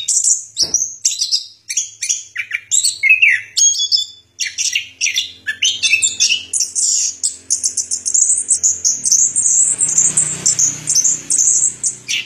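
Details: Orange-headed thrush singing: a rapid, nearly unbroken run of high chirps, short trills and thin whistled notes. Phrases change constantly and are packed tightly together, ending in a stream of sharp, squeaky notes. No other sounds.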